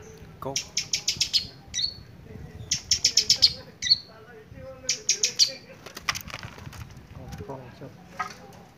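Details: Long-tailed shrike in lively song, noted for somersaulting; rapid runs of four to six harsh high notes, each run ending in a short whistle, with wing flapping in between.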